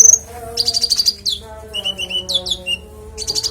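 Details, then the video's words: Konin with a clear, varied song used for training other songbirds: a rapid high trill, then quick downslurred notes and short whistled chips, over a faint steady low tone. "Konin bongkar isian suara jernih"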